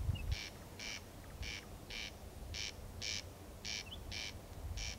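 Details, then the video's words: Corn crake rasping at night, 14 June 2021 at 01:35 in Kiili parish: strong, evenly spaced dry paired bursts, a tiny chirp or two from another bird, and light low background noise. "Rukkirääk Kiili vallas rääkumas"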